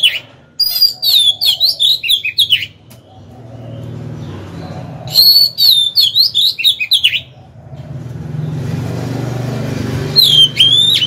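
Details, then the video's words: Oriental magpie-robin decoy singing to incite males and lure wild birds to fight; three bursts of quick, sweet warbling whistles with sharp high notes, separated by pauses filled with rumbling background noise. "Chòe than mồi hót hay quá!"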